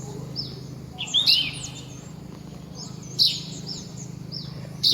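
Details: Red-whiskered bulbul (Pycnonotus jocosus) singing from a treetop on a sunny morning, giving short, bright, bubbly whistled phrases about every two seconds, with thin chirps from other birds and a low steady hum.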